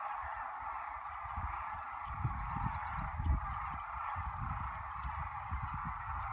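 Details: Sandhill cranes calling en masse at Whitewater Draw, Arizona, near the cattail pond on a 68-degree February 11, 2018: a dense, continuous cacophony of many overlapping calls merging into a steady roar above low rumbling.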